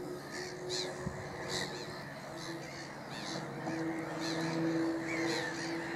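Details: Flock of black-headed gulls calling noisily at Middleton / Fishers Mill: rasping, screechy notes overlapping in a busy chorus, beneath which a low steady drone runs throughout.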